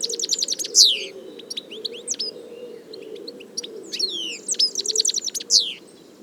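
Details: A European goldfinch sings in the wild, known locally as Taqtaq Shouk, with tinkling twitters, sweeping upward slurred notes and short buzzy trills in two lively bursts separated by quieter scattered chirps.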